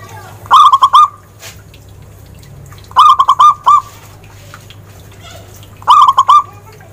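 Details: Zebra dove song, a clear voice used for luring birds: three bursts of quick, stuttering, ringing coos, each lasting about half a second to a second and repeating roughly every two and a half seconds, over a low steady hum.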